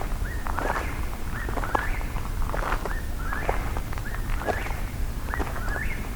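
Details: At night on a nocturnal hike, several Eastern Whip-poor-wills overlap, each repeating a quick whistled three-part phrase with a rising end about once a second, over low rumbling and footsteps.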